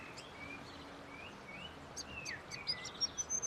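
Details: Grey fantail singing: thin, high squeaky whistles and short sliding notes, then a quickening run of sharp chips that grow louder toward the end, over a steady low hum.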